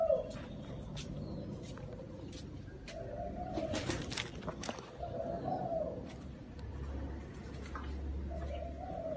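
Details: Spotted dove in a small garden, soft low cooing phrases partly masked by clicks, knocks and rustling noises, with a low hum near the end.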